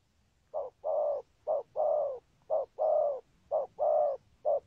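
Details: Soft, low 'thúc gù' cooing from a spotted dove: rhythmic pairs of a short note and a sustained mellow note, repeated about once a second, ending on a single short coo.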